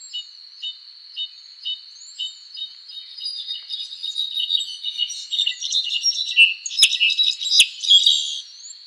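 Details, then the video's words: Azure-rumped tanager song: evenly spaced high ticking notes at first, then a busier, louder stream of bright chirps and twitters, with a couple of sharp clicks, over a steady insect whine and distant arching whistles. "Cabanis's Tanager Bird Song Video: Azure-Rumped Tanager"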